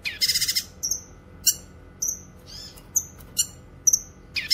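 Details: Cucak kinoy song for tutoring and luring: an opening rapid rattle of five beats, then a run of thin high whistled chirps and a short slurred note, with a faint hum behind.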